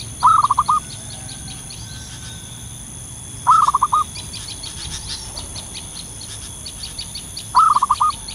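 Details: Zebra dove calling in the wild, its voice used to lure others: three short bursts of rapid cooing notes, about four seconds apart, with faint high ticking sounds behind.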